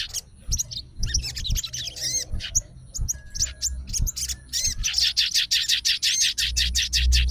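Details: Fighter sooty-headed bulbul responding at once to another bulbul's voice, calling out rivals: dense bursts of sharp, chattering high notes with rising and falling slurs, quickening into a rapid run near the end, over low thumps.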